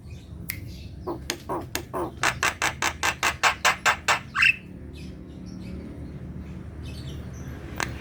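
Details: Javan myna singing hard, a recording for enticing lazy kept birds to sing: a quick sequence of about fifteen harsh, evenly spaced notes capped by a rising whistle, then quiet with faint chatter.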